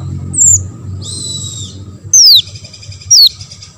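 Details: Olive-backed sunbird song meant to draw replies from other sunbirds. A thin high note is followed by a sustained shrill buzz, then two loud, piercing whistles sliding steeply downward about a second apart over a faint low hum.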